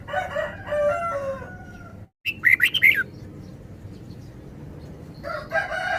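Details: After a long, quavering harmonic call, a red-whiskered bulbul sings a short burst of quick, rising and falling chirps against continuous background hiss.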